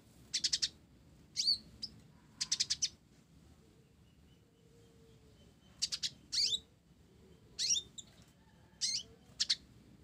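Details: Blorok olive-backed sunbird in full voice with a sparrow-style song fill, giving bright high chirps in bunches of three or four, mixed with upward-sweeping slurred notes, repeated every second or two.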